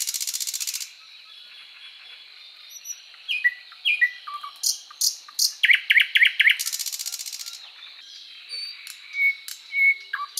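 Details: {'__c': 'Thrush Nightingale singing a loud, varied phrase: a dry rattling burst, descending whistled notes, then rapid repeated clicking strokes and another rattle, with sharp high notes closing the sequence.'}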